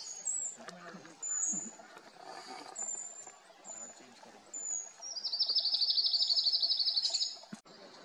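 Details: Bar-tailed (Himalayan) Treecreeper, Certhia himalayana, recorded at Manila, Uttarakhand, India, in February 2024: thin, very high-pitched short notes, then a fast, even trill lasting about two seconds. Faint background hiss.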